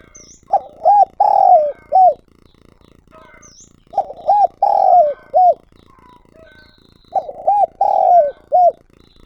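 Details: Spotted dove lure bird recorded directly, cooing three times at roughly three-second intervals; each phrase has two short hollow coos, a long falling coo and a clipped final note, with faint background chirps.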